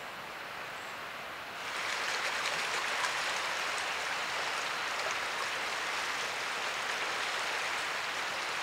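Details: Quiet hiss that swells after a second and a half into a louder, steady spattering of water, with no animal sounds.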